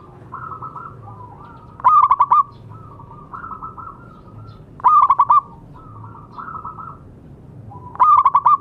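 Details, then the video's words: Local zebra dove singing actively, used as therapy to get silent doves singing: three loud bursts of rapid, staccato, hollow coo notes about every three seconds, with softer rolling coos from other doves between bursts. "Perkutut lokal gacor suara bagus untuk terapi yang macet bunyi."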